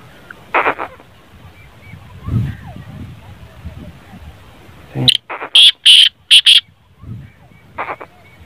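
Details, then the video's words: Black francolin call used to prompt a silent kept francolin to call. A loud sequence of five harsh, clipped notes is preceded by brief murmured sounds and low noise, with a faint short note afterwards. "kala Teetar ko Bulany Wali Awaaz"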